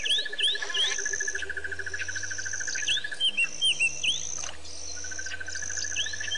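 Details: Several white-fronted bee-eaters at Pete's Pond in Botswana, Africa, on 10/9/07 give sharp, down-curved chirping notes in scattered clusters. A rapid, even insect trill runs underneath, with a high buzzing insect tone.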